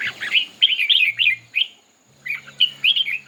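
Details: Red-whiskered bulbul contest singing: crisp, whistled, bouncing phrases delivered in rapid runs, a brief silence, then another lively sequence of sweet warbled notes.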